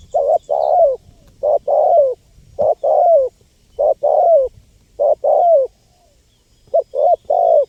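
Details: Spotted dove in full calling, used to attract wild birds: a clean, steady series of mellow coo phrases, each of two or three hollow notes with a drawn-out falling end, repeated about every second.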